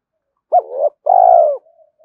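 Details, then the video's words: A spotted dove coo used for luring and training decoy birds. A short hooked note runs into a warbling middle, then a long, pulsing, gently falling coo ends in soft trailing notes. Nothing else is heard. "Tiếng chim cu gáy kích bổi nhanh nổi và tập mồi hiệu quả"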